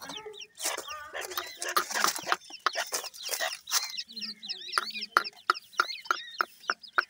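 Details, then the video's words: Grey francolin (teetar) chicks calling: a man's voice first, then high, thin, downward peeps repeated about three times a second, mixed with sharp clicks. "teetar bird chicks,grey francolin birds chicks awaz"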